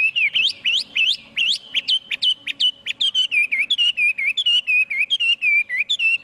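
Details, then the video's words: Chinese hwamei singing energetic rising whistled notes in quick repetition, shifting into a rapid chain of clear looping whistles. "Tiếng chim hoạ mi hót không tạp âm"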